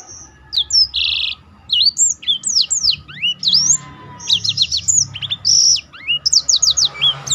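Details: Black-throated canary, a kept bird in full song used as a tutor for other birds, delivering rapid varied high whistles, upslurred and downslurred notes and short buzzy bursts in quick phrases with brief pauses.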